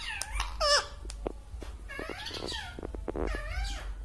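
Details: Green ring-necked pet parrot mimicking human words such as 'Mummy'. High squeaky, harmonic syllables sweep up and down in rapid clusters, broken by sharp clicks and short pauses.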